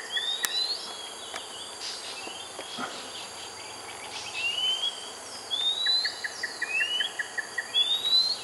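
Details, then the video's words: A long-billed spiderhunter (Arachnothera robusta) in Hala Bala, Narathiwat, Thailand gives short, sharp rising calls every second or so over a steady high insect drone. "Long-billed spiderhunter. Длинноклювая пауколовка."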